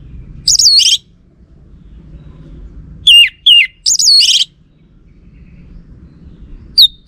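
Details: Lure song of a caged orange-headed thrush from North Bali, Singaraja, which males are said to answer. Short, sharp, high whistled bursts with quick downward slurs come in three spaced groups between quiet gaps with low room hum.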